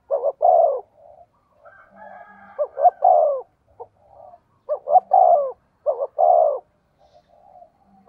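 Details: Spotted dove used as a decoy, cooing: four phrases, each a pair of clipped notes and then a drawn-out descending coo, with soft murmuring notes in the gaps.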